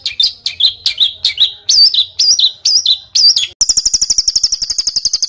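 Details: Training-tape bird song in a rough rolling style: looping, scratchy whistled phrases repeated about twice a second, then a sudden switch to a fast, even, very high trill.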